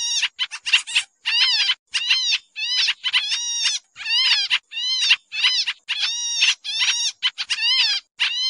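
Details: Busy lure calling of a pied triller, used in bird trapping: scratchy, buzzy chattering phrases, some brief and clipped, others longer with descending notes, repeated rapidly with short silences.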